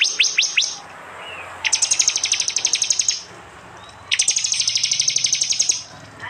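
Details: Prinia 'tembakan' song from East Java, phone recorded among combined prenjak and jali sounds: four quick falling chirps open, followed by two long, loud rattling trills of rapidly repeated high notes.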